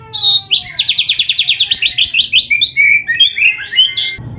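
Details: Oriental magpie-robin 'gacor' song: a fast, regular trill of about sixteen buzzy notes lasting three seconds, followed by a few warbled and slurred whistles, then a short low thump at the end.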